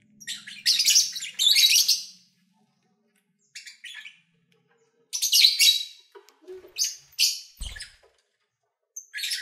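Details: Captive lovebirds, recorded while eating, singing and playing, give harsh, buzzy high chatter in bursts, some long and noisy, others short, with quiet gaps between and a brief low thump near the end.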